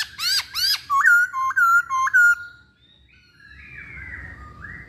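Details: Chinese hwamei in full song: two loud, sharp upswept notes, then four repeated hooked whistles about half a second apart, fading into quieter, distant rising whistles and low background noise.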